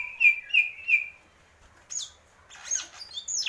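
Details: Greater green leafbird: three loud slurred whistles about a third of a second apart, then a pause and scattered high, thin chirps and trills.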